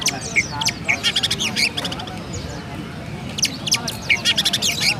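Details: Oriental magpie-robin from Pemalang, Indonesia, singing in sparrow imitation: two groups of rapid high chirps separated by a quieter stretch, each burst made of quick repeated sharp notes.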